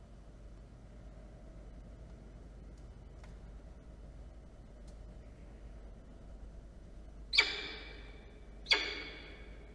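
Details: Near-silent low background hum, broken by two sharp clicks or knocks late on, with no animal voice heard.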